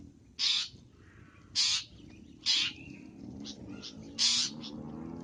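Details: Long-tailed shrike, lively masteran song: four loud, grating, buzzy bursts with thin whistled notes between them, over a steady low background hum.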